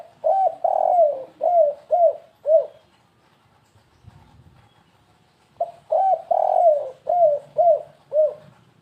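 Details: Tekukur lure cooing, kuk-3 gagap style: two phrases of low mellow coos, each with a long coo followed by short falling notes, separated by a pause of about three seconds.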